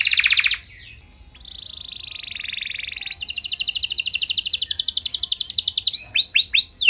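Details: Canary singing vigorously with sharp, high bursts, used to prompt other canaries to answer and sing at length: a dense high trill, a steady buzzy roll, then a fast rattling high trill ending in looping downward-swept whistles.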